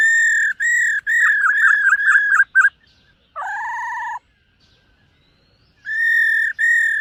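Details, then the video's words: Silver-eared laughingthrush singing in the morning for voice training: a run of steady and wavering whistled notes, a rough lower buzzy phrase, silence, then two more sustained whistles. "Khướu BẠC MÁ hót MÚA luyện giọng . Khướu hót sáng luyện giọng kích bổi"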